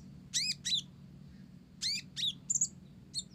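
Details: Olive-backed sunbird, Blorok type, singing hard with Java sparrow imitations: two harsh, ringing, arched notes, a one-second gap, then two more and a quick stuttered triple chirp, with a faint low background hum.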